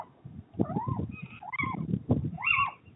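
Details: A pair of little owls mating on a roof ridge on 29 January 2023 give three arched, squealing notes, each rising then falling, about a second apart, over low rumbling wind noise.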